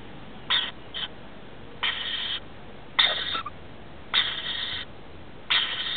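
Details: Rainbow lorikeets, a male and female with their two offspring, settling down for the night in a house roof: harsh, raspy screeches in short bursts of about half a second, coming irregularly every second or so over steady low background hiss.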